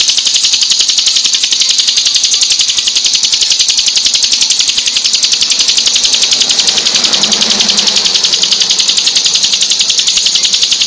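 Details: Hill prinia in full, very long song: high, tightly packed notes repeated in a steady, unbroken rhythm, about three to four a second. A brief low hum rises around the middle.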